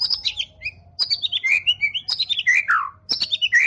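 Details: Champion competition white-rumped shama singing loud tembakan: rich, rapidly changing whistled phrases sweeping down from high pitch, with slurred notes and quick trills repeated in bursts roughly every second, steady low hum beneath.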